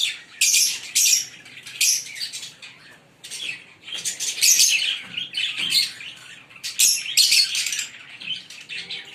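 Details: A green Fischer's lovebird pair keeps up nearly continuous loud, shrill chirping and scratchy chatter, with only short pauses.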